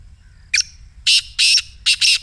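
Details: Black francolin's excited 'masti' call, played to prompt a caged francolin to call, meant for morning use. A loud, harsh, grating series: one short note, then three hoarse rasping bursts, the last split in two, over about two seconds in quiet surroundings.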